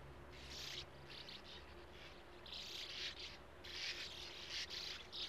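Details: Colony of Sand martins nesting in burrows at a gravel-pit lake; a run of dry, buzzy twittering bursts, denser in the second half, over a faint low hum.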